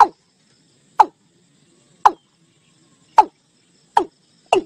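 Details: Watercock (gà đồng) call used to draw a flock into a net: single hard, clipped, downward-sliding knocks spaced about one second apart, six in total, over a quiet background.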